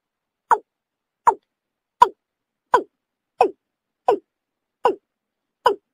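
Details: Watercock call used as a lure for bird hunting in Bengal: eight short, hollow, downward-slurred notes, evenly spaced about every three-quarters of a second, with a quiet background.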